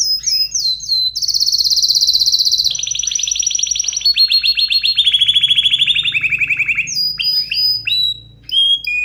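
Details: Excited canary singing strongly: fast trilled phrases, sharp high notes sliding down, then long buzzy rolls stepping lower in pitch, ending with quick whistled chirps; a faint low hum sits beneath.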